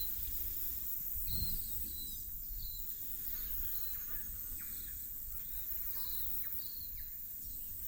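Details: In early autumn (23 March) in inland Kapiti, New Zealand, Silvereyes (Tauhou) feeding on insects and native bush fruit give thin, high, short chirps about twice a second, soft against a steady low rumble and hiss.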